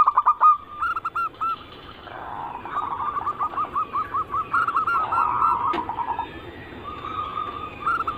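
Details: Perkutut, the zebra dove, giving anggungan cooing as a lure sound: clipped opening notes, then a long rippling series of quick repeated coos with a brief click partway through.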